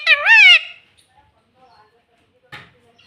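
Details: Pet parrot, kept indoors, that says "mummy" and "papa": one loud, harmonic, rising-and-falling utterance lasting about half a second, then near silence and a brief click.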